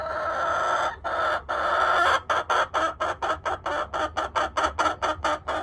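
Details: Buff Orpington chicken clucking: a few drawn-out, buzzy clucks, then a fast run of short, sharp clucks that comes quicker and choppier toward the end.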